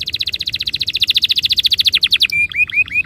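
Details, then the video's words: Canary singing a fast rolling trill of rapid repeated high notes, roughly a dozen per second, ending in a few dipping, rising whistles; the song is meant to set other canaries singing. "Suara mastetan burung kenari _ PANCINGAN AMPUH KENARI BIKIN CEPAT BUNYI NGEROL GACOR"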